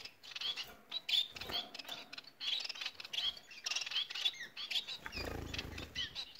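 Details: Energetic twittering from Bengalese finches: quick bursts of thin, high chirps and buzzy trills, with a low rumble near the end.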